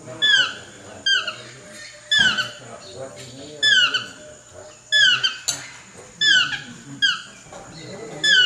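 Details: Series of about ten descending yelps from a chestnut-mandibled toucan, delivered roughly once a second in a loose rhythm, each a ringing downslurred whine rich in overtones, above a low constant hum.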